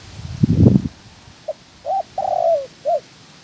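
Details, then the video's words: Decoy spotted dove in trapping training: a dull thump, then one phrase of a short soft note, a rounded coo, a long vibrating coo that falls at the end, and a closing short coo. "Chim Cu Gáy (trap bird) Tập mồi"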